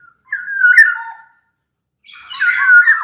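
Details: Black-naped oriole from Sumbawa, a large-bodied local bird, singing as a lure to prompt other orioles to sing: two bursts of fluty, warbling whistles with slurred rising and falling notes, separated by a short silence.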